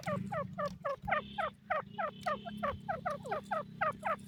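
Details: Teetar partridge, named Irani teetar: rhythmic chuckling notes repeated rapidly, roughly three to four a second, each a quick falling chuck over a steady low drone.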